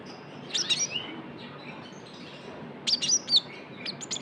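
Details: Young Javan white-eye calling as a lure: a short burst of high chirps with a downslurred note, a quiet gap, then another jumble of sharp high tweets and chirps.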